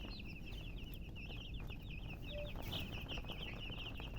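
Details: Chicken chicks peep continuously in a thick chorus of quick, high, wavering notes, steady from start to finish over low hum.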